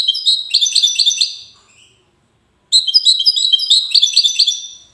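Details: A European goldfinch singing in the wedani style in Safi, Morocco, with two lively phrases of rapid, high, jangling twitters and buzzy trills, about a second of quiet separating them.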